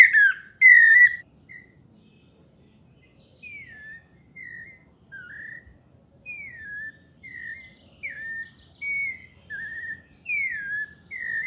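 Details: Pale-breasted thrush in melodious paulista song: after two loud opening notes, a sequence of softer clear whistles, each a short down-slurred or rising-falling phrase, repeated about every half second to second.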